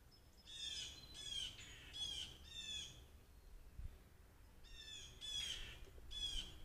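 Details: Blue Jays calling all around a deck on 16 May 2023, captured by a trail camera while a mourning dove sits on the table; harsh, buzzy squawks with banded harmonics, in two bursts of four and three calls, with faint wind rumble.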